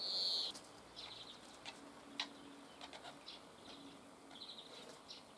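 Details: A great spotted woodpecker near Dohr in the Eifel, Germany, gives one loud, sharp, high 'kik' note at the start, followed by a few fainter similar notes and soft ticks over quiet background hiss.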